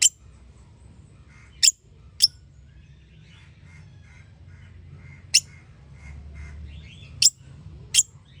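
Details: Parrot-family bird chirping: brief, sharp high clicks scattered irregularly, with softer twittering notes in between over a low steady hum.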